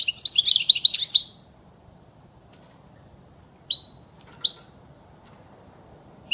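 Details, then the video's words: European goldfinch song used to train young birds: an opening second of rapid, jangling, high twitters, followed by silence and two isolated sharp chirps. "صوت الحسون الاصلي خالي من الاخطاء لتسميع الحسون وتعليم الفراخ"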